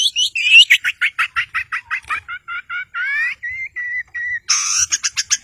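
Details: Long-tailed shrike kept as a caged songbird for stirring quiet birds into song, producing a rapid run of clipped notes that slows into drawn whistles, ending in a harsh burst and quick chips.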